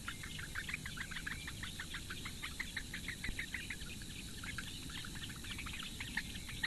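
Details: Nestling Eurasian bitterns, four chicks in a Latvian reedbed nest, begging while the female brings breakfast, 15 May 2017, webcam: softer, irregular rapid ticking notes over a low background hum.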